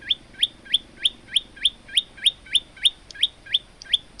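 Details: Singing male olive-backed tailorbird, kept as a training model for other birds, delivering a steady, unbroken string of about thirteen bright rising chirps at a brisk, even pace of about three notes per second.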